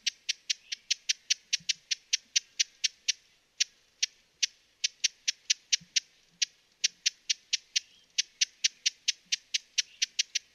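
Broad-billed Hummingbird giving dry, high ticking chips, about three per second in a steady series with a couple of brief pauses; no other sounds intrude.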